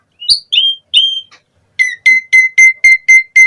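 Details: Asian pied starling in 'gacor full isian' song: a few fluty downslurred whistles, then a steady run of identical sharp, bright notes, about four per second.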